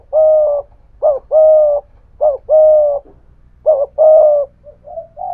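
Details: Decoy spotted dove with a thổ voice giving thúc gù coos against a wild dove: rich, full coo pairs, a sharp short note then a sustained one, ending in softer, quieter coos.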